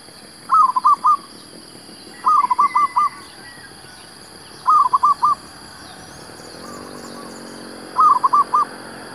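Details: Zebra dove cooing in quick, soft, bubbling phrases of four or five notes, repeated about every two seconds, over a steady high hiss and faint low hum, during a rainy-morning trapping session at Sungai Mas, Malaysia.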